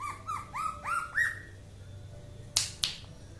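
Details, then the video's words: Aceh leafbird in 'mabok' song: five rising-and-falling whistled notes, each a little higher, stop after a second and a half. Two loud sharp claps follow. "Kicau Cucak ijo 1/2 Mabok . Aceh"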